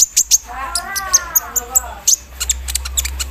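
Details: After a morning dew session, a Javan sunbird sings an embroidery-machine style fill: quick rhythmic high ticks, then a rapid stuttering run of chips, over a soft warbled undertone.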